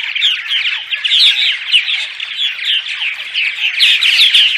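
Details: Purple martin dawn song, used before dawn to draw martins to nest sites: dense overlapping gurgling chirps and warbled notes from several birds, steady and continuous with no pauses.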